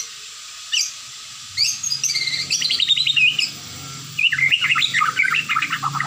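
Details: White-rumped shama, a popular cage bird in Indonesia, singing: short high notes, then rapid trilled and warbled phrases sliding down in pitch, delivered in quick bursts over a faint low hum.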